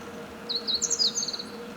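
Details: Meadow bunting song, a crisp, high-pitched burst of chirps, a quick down-slurred squeak and a short trill, about one second long, with a faint hum behind.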